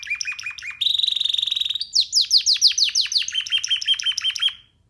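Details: Young canary perched on a hand delivers varied song: quick chirps, a long even buzzy trill, a run of swooping downslurred notes, then a steady rolling trill that fades out.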